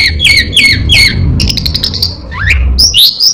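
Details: Mimicking Orange-headed thrush, known for copying prinias, a cat and other birds: quick downslurred whistled notes in a row, then a burst of clicks and a rising sweep, with steady low rumble behind.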